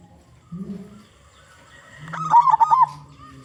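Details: Local zebra dove, loud singer used as a lure for others of its kind; a low brief hum comes first, then one fast phrase of bubbling, rolling coos near the end.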